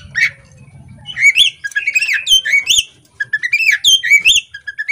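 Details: Female Oriental magpie-robin singing vigorously with its tail spread. After a short chirp and low background hum, a rapid sequence of rich, curving whistled notes and chatters follows, ending in clipped high chirps.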